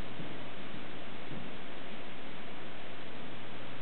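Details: Steady, dense static hiss fills the whole stretch, with a constant low electrical hum underneath and no animal voice.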